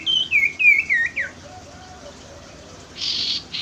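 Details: Common iora song used as a lure for a reluctant caged singer: a quick series of five bright whistled notes sliding down and up, ending in a falling slur, then a pause and two bursts of hissing noise.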